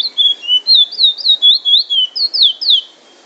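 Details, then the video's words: Trinidad bullfinch singing the drawl and wheet drawl: a rapid series of about ten clear, slurred whistles, each sweeping up or down, roughly four per second, then ending in quiet. "Bullfinch singing drawl and wheet drawl"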